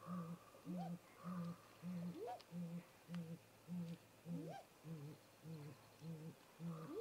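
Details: Great grey owl pair visiting a nest snag in late afternoon daylight, 18:58 MDT, filmed by a nest camera: deep, even hoots repeat about twice a second, broken by several quick rising whoops.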